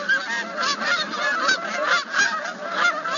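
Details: A group of Canada geese gives a dense, overlapping chorus of classic nasal, rising-and-falling honks, several each second, with red-winged blackbirds audible in the background.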